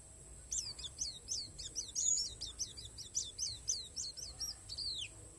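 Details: Oriental white-eye of the Borneo palas variety singing an isian alam style song: rapid, thin, high downslurred chirps repeated in a steady run, rather soft, over a faint low rumble and a steady high-pitched whine.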